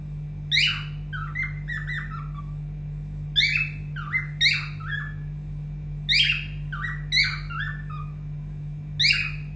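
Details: Pet cockatiel indoors, urged to sing, whose song is said to be mixed up from hearing many songs: short bursts of sharp squawky whistles, each falling into lower notes, spaced a second or two apart over a low hum.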